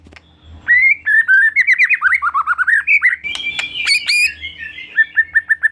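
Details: White-rumped shama singing as a lure to set off another shama: a rapid stream of varied whistled notes rising in pitch, with some sharp high clicks, ending in short repeated notes.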